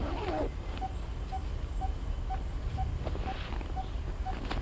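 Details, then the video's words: Coppersmith barbet at Punggol Seventeenth Avenue, Singapore, gives its hollow, metallic 'tuk' note at a steady pace, about twice a second, over a low rumble of traffic. "Calling of the Coppersmith Barbet"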